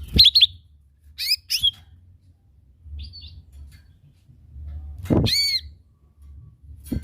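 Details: Lure recording of a lesser green leafbird singing: clusters of sharp, ringing high chirps and twittering notes with pauses between, some with clicks or knocks, over a faint low background hum.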